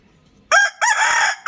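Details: A young rooster crows loudly in two strained, raspy bursts, the first short and the second drawn out and slightly wavering, cut off abruptly, with another burst starting at the end.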